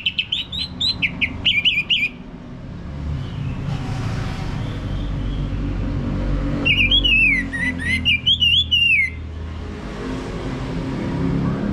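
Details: Ngeplong song of an orange-headed thrush as a lure for a male: a rapid series of repeated whistled notes at the start, a long quiet gap filled with low rumbling noise, then a wavering run of rising and falling whistles.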